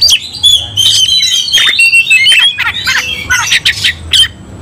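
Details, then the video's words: Oriental magpie-robin singing in an aggressive fighting mood, inciting rival magpie-robins. Choppy sequence of harsh squawks, clicks and short piercing whistles in uneven bursts. "Kacer langsung TARUNG bongkar emosi bikin kacer lain ikut dongkrak amarah"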